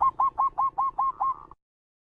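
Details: Local zebra dove calling cleanly, a lure recording for trapping and for training decoy birds: seven evenly spaced, rounded coo notes, each bending up then down, about five per second, ending abruptly.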